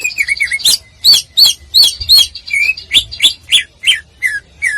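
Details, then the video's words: Greater green leafbird contest-style song: a fast sequence of loud, crisp, metallic chirps and sharp downward slurs, roughly three notes a second, with varied pitch from note to note. "Masteran Cucak Ijo Full Tembakan Paling Dicari Oleh Juri Lomba"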